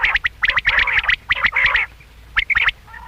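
Common quail give quick bursts of harsh, buzzy chattering notes, several a second, broken by short pauses, with a faint low hum behind.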